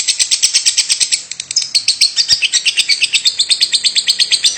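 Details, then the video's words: Lovebird calling 'batuk' (cough) nonstop: dense, scratchy high chips with a brief dip in loudness near the one-second mark, then quickening again. "Love bird Batuk terus tanpa jeda 9 menit lebih"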